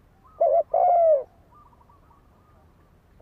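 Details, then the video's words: Spotted dove decoy calling to incite fighting: a single phrase made of a short low note and then a sustained falling coo, followed by a faint trill and the start of the next note. "Tiếng chim cu gáy đấu bổi dùng kích mồi cực chuẩn"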